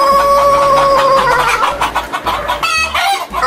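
A rooster gives a long, strained crow, holding a steady note for over a second before breaking into wavering, falling syllables; faint music plays underneath.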